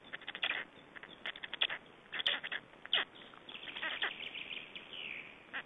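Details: Feeding time for Estonian black storks, 21 May 2012: chicks give loud, grating squawks in uneven bursts, several stacked closely, then pauses, with a drawn-out hoarse note near the end.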